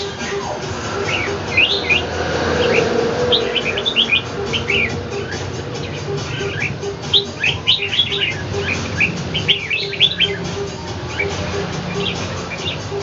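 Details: Red-whiskered bulbul kept as a pet, fighting a wild bird in Ho Chi Minh City; rapid series of sharp chirping and warbling notes, nearly continuous, against a constant low hum.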